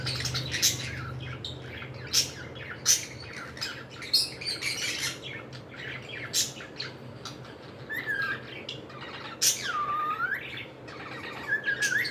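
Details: Pet cockatiels indoors: a string of sharp, clicky chirps, then looping whistles that drop and swing back up near the end, over faint background hum.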